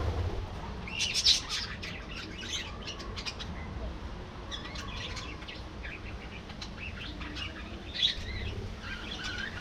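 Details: Budgerigars chattering in a colony aviary, a dense run of quick high chirps and warbling squeaks from several birds, bursts around one to four seconds and again after six, with steady low hum beneath.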